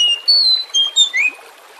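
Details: Oriental magpie-robin song used as a lure to make other birds sing: high, clear whistled phrases, some level and some rising, in quick succession, with a soft rushing background.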